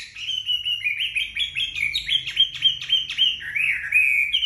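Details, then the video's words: Chinese hwamei singing just after bathing while drying in the sun: a loud, rich run of fast, varied whistled phrases, sliding notes and chirps several times a second, with a faint low hum beneath. "Họa mi hót"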